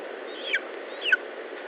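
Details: At an Estonian lesser spotted eagle nest, 19 July 2012, mid-morning: two short, high, down-slurred yelps half a second apart, standing out from a constant broadband rushing noise.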